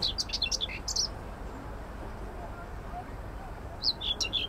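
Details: Common whitethroat (Curruca communis) singing on 25 May 2024 in an allotment garden in Södermalm, central Stockholm, Sweden: two short, scratchy, hurried high-pitched warbling phrases about three seconds apart, over steady low city hum.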